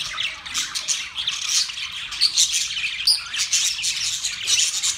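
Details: Australian budgies chatter in a group: rapid overlapping chirps, harsh squawks and a few clear whistled notes, the noisy twitter running unbroken from start to end.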